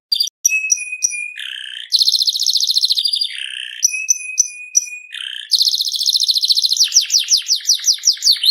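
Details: FI series canary singing: steady whistled notes alternating with long rapid buzzy rolls, closing with a quick series of downward-sweeping chirps repeated several times a second.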